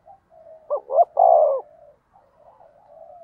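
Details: A decoy spotted dove, used to provoke rivals, gives one low coo phrase: two short rising notes then a long, hoarse, falling coo, framed by soft faint cooing before and after.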